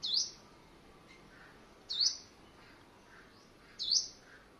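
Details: Caged white-bellied sunbird kept as a decoy bird, exercised in the morning on 21 May 2020 in Quảng Ngãi. It gives a high, thin, sharp phrase about every two seconds over a steady background hiss.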